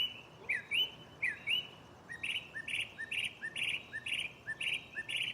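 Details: Night song of a mockingbird perched in a tree close by, switching phrase types: two sharp sweeping double notes, then a steady train of buzzy, clipped chirps repeated roughly twice a second, each paired with a faint high tick.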